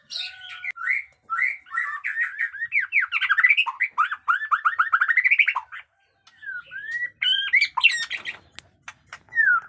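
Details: Caged jenggot dewa white-rumped shama in fighter form delivering batuk koral and muntah beling song: a fast cascade of looping, slurred whistles, rising and falling in quick succession, a short break, then sharper high notes and clicks.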